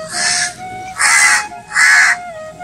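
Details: A crow in a rural Bengal village on a sunny morning gives three harsh, rasping caws, each about half a second long and spaced roughly a second apart, over a faint steady hum.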